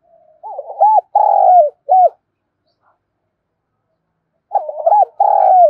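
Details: Spotted dove kept as a loud, resonant decoy bird to provoke wild doves: two cooing phrases, each a stuttering run of short rising notes followed by a long, full coo and a final short note, separated by a silent gap.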